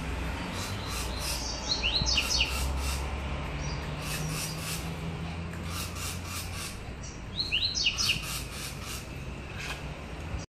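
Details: Rusty-collared seedeater (coleiro) gives two quick bursts of high, sweet, twittering notes several seconds apart, over a steady low hum and scattered clicks.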